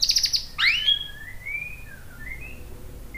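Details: White-rumped shama lure song: a quick high chatter, then soft drawn-out whistled slurs over steady background hiss.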